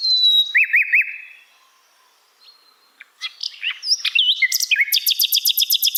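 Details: Asian brown flycatcher song recorded for songbirds to learn: three quick looping whistles, a short pause, then jumbled sharp chirps and slurs that lead into a rapid, evenly pulsed high trill.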